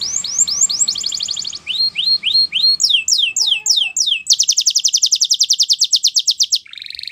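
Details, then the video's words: Spanish Timbrado canary in varied song: rising whistled notes, a short trill, falling slurs, then a long, steady pulsed trill of about thirty rapid notes, closing with a brief buzzy phrase. "Timbrado Canary Singing"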